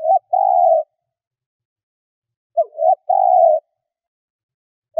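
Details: Decoy spotted dove cooing to lure wild doves: short clipped coo fragments followed by a longer steady mid-pitched coo, the pattern repeating after a silent pause. No other sounds are heard.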